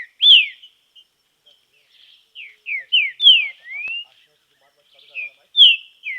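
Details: Green-winged saltator, trained song in a natural setting: loud rich whistles sliding down, a run of three sweeping notes and a rising slur, then further falling whistles after a brief pause.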